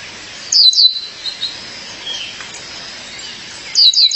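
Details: Calling for her mate, a female violaceous euphonia gives paired bright, high falling notes, a few faint chirps in between, and another quick double burst of piercing downslurred notes at the end.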